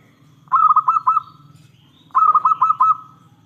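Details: Zebra dove of local stock singing loudly, a recording meant to lure other perkutut into replying: two quick phrases of four or five clipped, bubbling coos ending in a drawn note, over a low steady hum.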